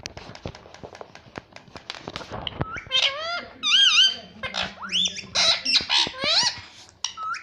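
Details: Parrot said to speak mummy and papa: a run of sharp clicks, then loud tonal wavering phrases, with bent and rising syllables that sound speech-like, in a small room.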